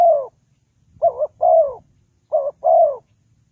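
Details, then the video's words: Decoy spotted dove for bird trapping. It utters two full phrases, each a short doubled coo then a drawn-out falling coo, after the tail of an earlier note. Faint low rumble underneath. "The Sound Of Spotted Dove is very good,Bẫy cu gáy bằng mồi trồn"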